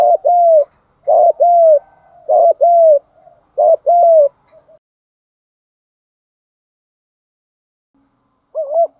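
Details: Cooing of a spotted dove, used to stimulate captive birds to coo: four quick, low, hollow double-note phrases in succession, then a long silence before one more short coo near the end.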